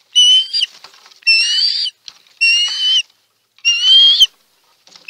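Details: Osprey at the Chesapeake nest in March, calling around a large food delivery: loud, harsh whistled calls in bursts of about half a second, each with stacked bands and a slight upward inflection, roughly four bursts with short gaps.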